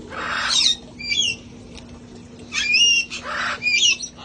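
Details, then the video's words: Sanctuary parrots outside enjoying life: loud raspy squawks alternating with ringing, wavering whistles in two quick bursts, over a low steady hum. "sounds of parrots having fun outside enjoying life"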